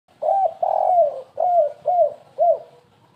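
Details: Spotted dove lure call in the stuttering 'kuk3 gagap' style used to attract birds: five mellow hollow coos, a short note then a long drawn one, followed by three shorter downward-bending coos in quick succession.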